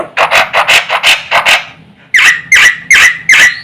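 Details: Black-winged myna song for rousing other mynas: a string of coarse, noisy chattering notes, a brief pause, then four loud harsh notes with a clear whistled core, spaced evenly.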